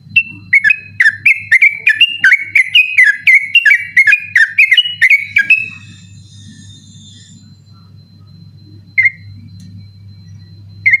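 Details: Night-time persistent 'ropel' song of a yellow-vented bulbul, used to train birds for night contests: five seconds of quick bubbling whistled notes, then mostly low hum with two lone whistles later.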